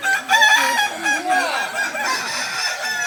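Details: Kokok balenggek roosters crowing at a practice contest final in Sawahlunto on 16 July 2023: several overlapping harmonic crows with rising and falling wavering notes, a roster of birds calling at once over a crowd murmur.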